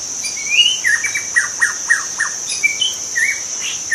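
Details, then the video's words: Young wild white-rumped shama from the forest singing: a rising whistled phrase, then a string of quick sharp downslurred notes about four per second, ending in short whistles, over a steady high insect drone. "Kicau murai muda hutan"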